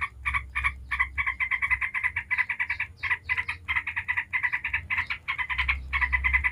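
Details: Yellow-vented bulbul delivering a prolonged 'ngebren' song used to lure other bulbuls into singing: dense, rattling chatter of quick buzzy notes going almost unbroken, with a soft low-pitched hum underneath.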